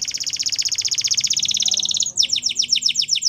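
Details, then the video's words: Morning song of a wild canary: a long, rapid rattling trill held for two seconds, breaking into a quick series of bright, downward-sweeping whistled notes. "Wild Canary Singing In The Morning"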